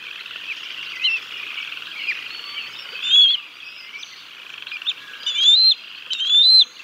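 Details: Bald eagles feeding chicks with a fish at the Decorah North nest, 6 May 2022, live nest camera; soft, blurred high chatter with a few clearer rising whistles near the end, over steady background hiss.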